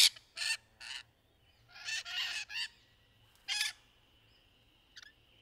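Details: Rainbow lorikeets during courtship in trees: rough, somewhat distant squawks in short bursts, a grouped cluster mid-way, over a faint steady tone and low background rumble.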